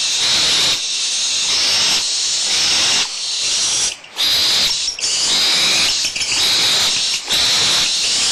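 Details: Several young barn owls at Audubon Starr Ranch Sanctuary squabbling over food remains, mother nearby: loud, sustained rasping hisses overlapping one another, with short gaps and scuffling around the four- and five-second marks.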